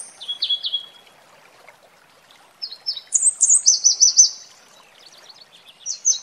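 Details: Red warbler song by a waterfall: bright, high chirping phrases with fast, even trills of repeated notes, separated by pauses of a second or more, with soft water noise behind.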